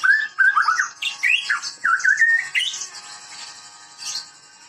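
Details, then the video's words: A white-rumped shama of the Medan variety, kept for breeding, singing strongly: a quick series of clear whistled slurs and up-swept notes with a few harsh accents, fading into softer high twitters. "Burung muray gacor muray medan"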